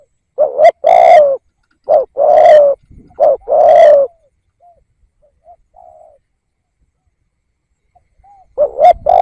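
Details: Lure spotted dove calling: three loud two-part coos in quick succession, then a quiet stretch with faint soft notes, and a fresh coo phrase starting at the end.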